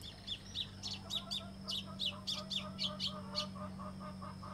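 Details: Song of the White-throated seedeater (Sporophila albogularis): a steady series of high, clipped chirps, roughly three or four per second, each paired with a softer lower note, over a faint steady hum.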